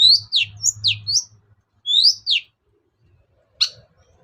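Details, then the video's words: Long-tailed shrike, lure song for coaxing birds that will not sing: clear high downslurred whistles in quick succession, two more sweeping whistles, then one sharp call, with a faint low hum. "BURUNG CENDET GACOR || SUARA PIKAT CENDET SUSAH BUNYI"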